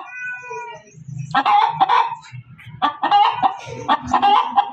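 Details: Hen making loud cackling clucks in uneven bursts, after a short, higher drawn-out opening note, with low murmuring in the background.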